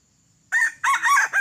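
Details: Tadung-plumaged red junglefowl, an escaped bought bird rather than an original wild one, crowing at a decoy trapping session. Loud, harsh crow in quick broken bursts starting after a half-second of near silence.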